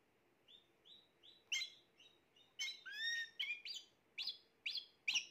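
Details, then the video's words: Spanish Timbrado canary, the third bird of the 2020 season, giving a string of short separate chirps, several rising and sharp, spaced about every half second over a faint steady background hum. "تغريد طائر تيمبرادو"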